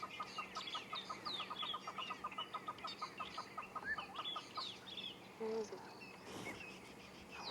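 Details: At sunrise in Sabi Sand on 10 March 2016, agitated hornbills give a rapid, steady run of hollow clucking notes, about a dozen a second. Drongos, squirrels and francolins are also alarm-calling at an unseen threat, possibly a snake or bird of prey.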